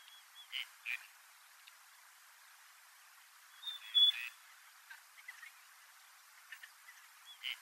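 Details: Wintering gadwall in courtship display: scattered short nasal notes and a sharp high whistle with a brief grunt-like note, separated by pauses of a few seconds, over a faint hiss.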